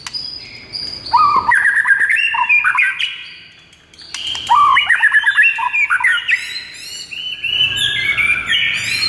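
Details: White-rumped shama giving a gacor morning training song: two loud outbursts of varied, tumbling whistles and chirps, the second leading into sustained high warbling.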